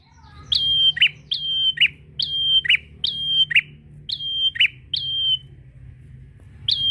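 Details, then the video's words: A prinia, in a call meant to provoke a rival and stimulate other prinias to sing, repeats a loud two-part phrase, a sharp high whistle then a buzzy chatter, about every second, over a faint low hum. "Prenjak Gacor Memanggil lawan untuk merangsang bunyi burung prenjak"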